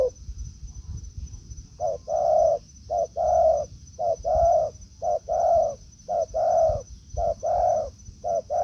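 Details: Spotted doves in forest, a decoy bird facing a wild one: after a quiet start, steady low cooing begins, a brief note followed by a longer mellow coo, the pairs repeating roughly every second.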